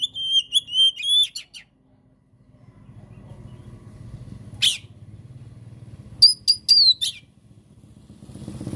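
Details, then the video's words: Oriental magpie-robin tutor recording: an opening run of clear whistles, a lone sharp note, then a short burst of rising whistles, with rumbling background noise between. "MASTERAN DAN PANCINGAN KACER GACOR PALING DI CARI JURI! COCOK UNTUK KACER ANDA YANG MACET BUNYI !!!"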